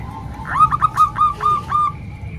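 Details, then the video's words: Zebra dove song used for training young birds, mixing Bangkok and local strains; five or six brief clear cooing notes at even spacing, each with a slight upward inflection, over a low steady hum. "Kombinasi 3 Suara Perkutut Bangkok Dan 1 Lokal|Untuk Melatih Perkutut Bahan"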